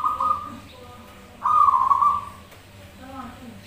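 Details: Perkutut (zebra dove) singing in reply to another bird, as a lure to prompt singing: one trilled phrase, a quiet gap, then a louder, slightly falling trill, with soft lower notes near the end.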